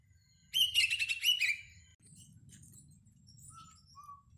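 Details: Oriental magpie-robin lure sound for use before a singing contest: a loud, buzzy, stuttering burst of about a second, followed by faint scattered notes and two soft low whistles.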